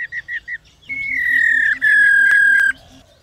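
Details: Female laughingthrush kept in captivity, calling to stimulate males to sing: four clipped chirps, then a long loud sustained whistle falling gently in pitch, broken once, over a soft low repeated pulsing beat.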